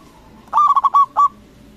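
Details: A single phrase from a loud local zebra dove, meant to goad rival doves into answering: five fast, hollow cooing notes in a tight run, then a short pause and one final drawn-out coo.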